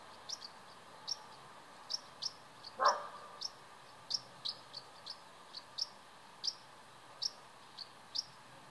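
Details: Two young Common House Martins in the nest, fed by their parents every two or three minutes, beg with thin, high chirps about twice a second; a single lower, harsh burst cuts in. 31 July 2019.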